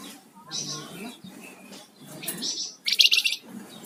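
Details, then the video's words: Energetic singing flamboyan songbird: thin whistled notes and chirps build to a loud rapid buzzy trill of stuttered pulses near the end, with a faint low background murmur. "Suara Burung Flamboyan Gacor"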